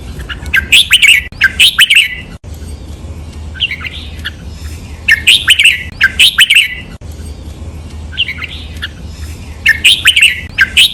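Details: Caged red-whiskered bulbul training recording of the 'lak wai' master song, doubled and note-counted: three long phrases of rapid, chattering whistled couplets, each lasting about two seconds, separated by quiet pauses over a faint low hum.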